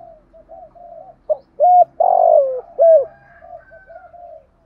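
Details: Spotted dove used as a decoy, calling in the morning to provoke wild doves into cooing; soft low coos lead into one loud three-note phrase with a rough, longer centre note, faint low hum beneath.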